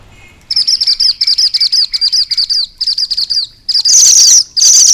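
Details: A Sunda bush warbler sings its rolling song, a rapid run of high, sharp chipping notes, about a dozen in quick succession, before loud hissing bursts cut in.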